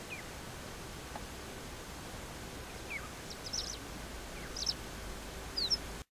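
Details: A Temminck's lark enjoying water in the desert near Eilat, Israel, on 29 January 2012, gives thin, high chirps and short buzzy notes, scattered and quickening toward the end, over a steady soft background hiss.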